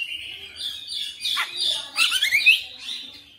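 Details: Persistent oriental magpie-robin song, 'full bongkar materi' style: a continuous, blurred stream of whistled warbling with a sharp downward swoop and a bright rising whistle near the end.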